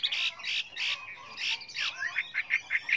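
A Chinese hwamei sings a loud, varied phrase: harsh, scratchy notes at first, then a quick run of five bright, clear notes about one every fifth of a second.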